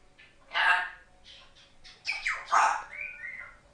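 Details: African grey parrot, a pet female under one year old, chattering words: a jumble of short, speech-like syllables and squawks with some rising and falling whistled tones near the end, fairly soft overall.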